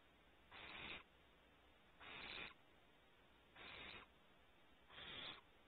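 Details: Four evenly spaced, noisy hisses, each about half a second long and roughly one and a half seconds apart, from barn owl young at the cavity entrance on Starr Ranch, California.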